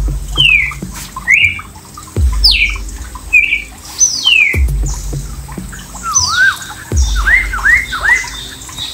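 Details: A five-day-old kestrel chick being fed a mouse gives high, thin downslurred squeals every second or so, with lower chirps and occasional handling thumps.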